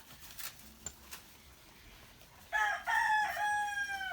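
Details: Morning crow of a rooster, one loud, drawn-out call starting abruptly after a quiet stretch with a few faint clicks and chirps, held and wavering for well over a second and still going at the end.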